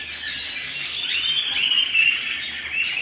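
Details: Canary singing at home, a fast stream of high chirps and trills, some bright whistled notes slurring up and down, overlapping into a dense chatter with little pause.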